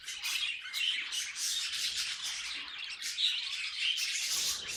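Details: Pet budgerigars chattering in a steady, dense stream of bright, scratchy chirps and squawks, with sharper whistled notes standing out now and then.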